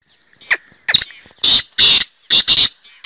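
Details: A black francolin (Francolinus francolinus) gives its harsh, grating call: two thin downslurred notes, then four loud rasping bursts in quick succession, the whole phrase lasting about two seconds.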